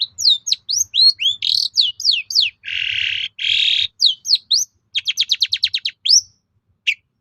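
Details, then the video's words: Long-tailed shrike in vigorous lure song meant to provoke other shrikes into replying: a fast, varied run of sharp whistled upslurs, two long buzzy rasps, then a rapid burst of about ten clipped notes and a final whistle. "SUARA PANCINGAN BURUNG CENDET AGAR MAU NYAUT GACOR"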